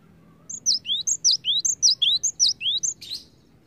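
A cinereous tit sings bright, high two-note phrases, a sharp falling note then a swept rising one, repeated rapidly about six times in under three seconds.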